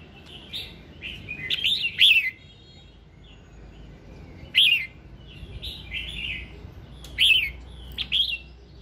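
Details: A red-whiskered bulbul's morning song for prompting singing: bubbly, fluting whistles and sharp slurred notes, phrases repeated roughly every two to three seconds over faint low background hum.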